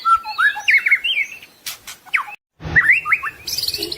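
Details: White-rumped shama song from a masteran (full isian) tutor recording. Clear slurred whistles and short chirps, a brief sharp break of silence, then looping whistled phrases with a high buzzy burst near the end.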